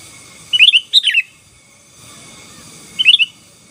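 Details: Sooty-headed bulbul in gacor song for dominating rivals, giving two quick warbled phrases near the start and another after a two-second pause, each a tumbling cluster of whistled notes.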